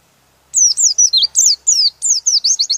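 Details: Oriental white-eye, singing a rolling song to provoke rivals, delivers one rapid two-second run of about twelve bright, high, descending slurred notes after a brief silence.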